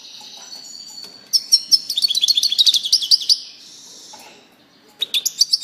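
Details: A European goldfinch delivers a fast, liquid twitter lasting about two seconds, with many short bright notes and a few thin sustained tones, then a quiet pause before another short burst of twittering.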